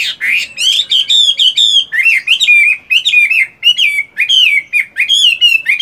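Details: Loud, continuous song from a caged Chinese hwamei during morning voice practice while moulting: rapid, rich whistled phrases with slurred rises and drops, delivered almost without pause throughout.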